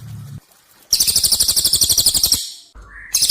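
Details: Cililin song used as masteran training audio for competition birds: one long, dense, very high rattling trill of rapid, evenly pulsed notes lasting about one and a half seconds, followed by a brief rising whistle and a new trill starting.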